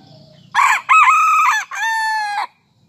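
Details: Serama chicken crowing in the morning after coming out of its cage to perch on a hand; a loud, harsh three-part crow, two short rough bursts followed by a longer steady note that stops abruptly, with faint low rumble beforehand.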